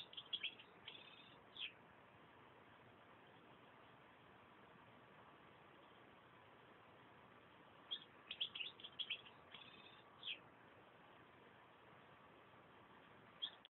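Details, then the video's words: European goldfinch singing in two bursts of fast, tinkling twitters, one at the start and a longer one about eight seconds in, separated by a quiet stretch of hiss, with a single faint note at the very end. "chant chardonneret"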